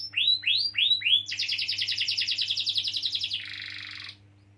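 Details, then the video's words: Canary song used as a lure for young or quiet canaries: four rising swoops, then a rapid buzzy roll and a dense lower trill fading out. "Kenari Gacor Ngeroll panjang || Pancingan Kenari paud atau macet bunyi"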